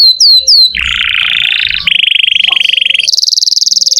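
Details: Lively canary song used as a lure for young or silent canaries. Three quick descending whistles lead into a low buzzy roll, then a faster rattling trill and a high, rapid chattering trill.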